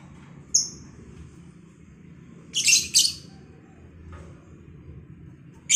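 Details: Home-bred lovebird pair being matched for breeding in captivity; a few sharp, shrill high chirps: a brief one near the start, a louder double burst midway, another at the very end, over a quiet low hum.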